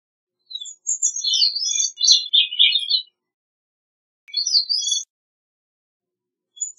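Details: A Gray-cheeked thrush (Catharus minimus) delivers a two-and-a-half-second song of thin, buzzy, high notes twisting lower toward the end, followed by a shorter, higher phrase after a pause.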